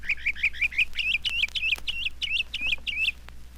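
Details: Northern Mockingbird, the Florida bird heard all night long and a mimic of other birds and its surroundings, sings bright, high chirping phrases, each repeated several times at about three per second before switching, over a faint low hum.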